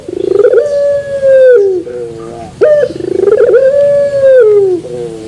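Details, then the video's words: Turtle dove (puter) singing in the pelung style with a metallic terasan voice: a buzzy rising start swells into a long steady coo that slides down, followed by a short lower wavering tail, repeated twice. "Puter Pelung Terasan Bermetal"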